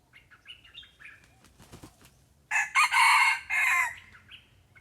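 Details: A red junglefowl lured by a decoy bird: faint chirps and a flurry of rustling or wing-flapping, then a loud, harsh crow in three segments, the final one long before a soft trailing call.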